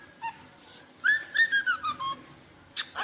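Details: Rosella singing: a faint note, then a run of clear whistles falling slowly in pitch, ending with a brief harsh rasp.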